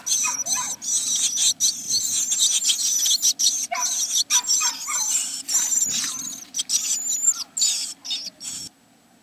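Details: Great tits in a nest box on 29 April 2017: loud, high, shrill buzzing calls in rapid bursts, broken by short gaps and rustling scrapes, over a steady low hum.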